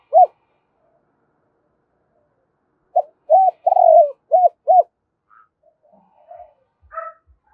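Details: Spotted dove decoy calling in the 'hai hậu đôi' style in the morning. A single coo, a pause, then a phrase of short coos and a long falling coo with two arched notes; faint higher sounds follow.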